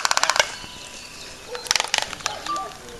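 Laysan albatross giving quick rattling bursts of clacks, a second clattering series, then a short, thin whistled note.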